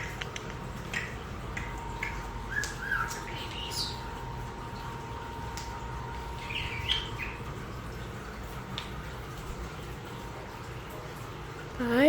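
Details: European starlings, wild-born birds rescued as nestlings and kept in an indoor bird room: scattered chirps, squeaky whistles and short squawks over a steady indoor hum, with a woman's voice near the end.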